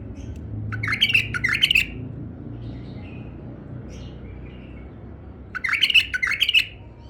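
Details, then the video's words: Tame male bulbul: a pair of quick, bubbling warbles, a soft murmur in between, then another double phrase of mellow, rolling notes. "أحلى تغريد بلبل فحل أليف"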